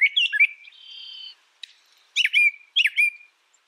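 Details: Brown thrasher voicing chirpy notes and a drawn-out steady whistle, then two matching phrases of sharp downslurred notes with a short tail.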